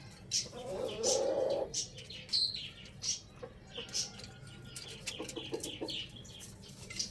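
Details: Rooster crowing in the morning: one hoarse, harmonic crow lasting about a second near the start, surrounded by frequent sharp, high chirps of small birds throughout.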